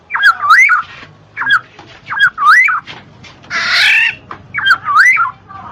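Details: Black-naped oriole song meant to stimulate lazy birds: liquid, wavering whistled phrases repeated about once a second, broken by one rasping, scratchy call in the middle.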